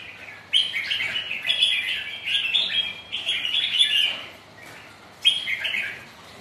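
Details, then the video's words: Red-whiskered bulbul champions sparring on a rainy, windy day: three long, rich, rolling warbles of about a second each, then a shorter burst near the end. "Cho các Chiến tướng dợt nhau ngày mưa gió"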